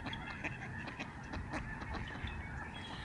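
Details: Thousands of Lesser Snow Geese in flight above George C. Reifel Migratory Bird Sanctuary in Canada, November 2011. Many short, sharp honks break out of a thick overlapping chorus several times a second, with wind noise underneath.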